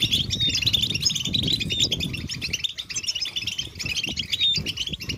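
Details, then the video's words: European goldfinches in a group chorus of chattering and song, presented as calls that spur males to sing; rapid liquid twittering and short whistled slurs without pause, with low background rumble. "Beautiful Goldfinches Chattering & Singing Sound in Nature"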